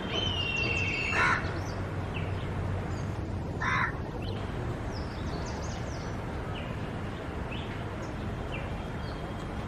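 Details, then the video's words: One of a pair of Black Kites (cheel) in a tree gives two short, shrill, harsh calls a couple of seconds apart over a steady low rumble, with faint chirps from small birds. "Shrill noise of Black Kite(Cheel)"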